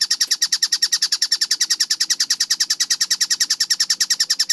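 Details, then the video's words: Tengkek buto, a kingfisher, delivering fast, tightly spaced song for bird training: crisp, harsh, high notes repeated about eight times a second in a regular rattle, with a soft click early on. "MASTERAN TENGKEK BUTO GACOR SUARA JERNIH SPEED RAPAT"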